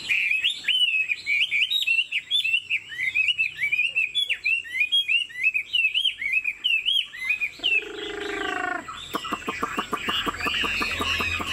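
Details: Chinese Hwamei kept in a cage, 90% pure-bred, performing a nodding, wing-flicking lion-dance display while singing. Quick looping whistled notes repeat for several seconds, then give way to harsh, buzzy rasping bursts near the end.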